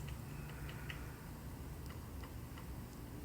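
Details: A woodpecker on a tree in a quiet garden taps in short, dry knocks at an uneven pace, about seven in three seconds, over a steady low outdoor rumble; a blue jay is nearby.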